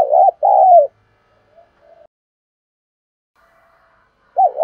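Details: Spotted dove decoy cooing to provoke wild rivals. The tail of a coo phrase with a falling note opens the recording, then a long pause and the start of another wavering coo.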